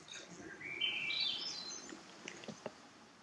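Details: Hermit Thrush song heard on a bog walk at Parc Frontenac, St-Daniel sector. A single fluty phrase starts on a clear mid note and spirals upward into higher, tremulous notes. A few soft clicks and a steady outdoor hiss follow.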